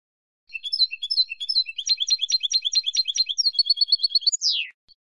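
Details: European goldfinch silvestrismo song: stuttering chirps lead into a fast, buzzy rattling trill, then an evenly repeated high tinkling series, ending in a sharp descending slur.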